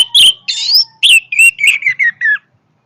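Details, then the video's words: Orange-headed thrush delivering strong song: a loud chirp, a rising buzzy whistle, then a run of clear whistled notes that step gradually downward before stopping. "kicauan Anis merah yang bertenaga"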